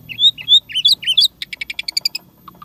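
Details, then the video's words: Energetic jalak suren song stuffed with unique sounds: loud swooping whistles, then a fast rattling series of evenly spaced metallic notes, ending with soft low chirps. "Jalak Suren Isian Tembakan Mewah Gacor Full Isian Suara Unik"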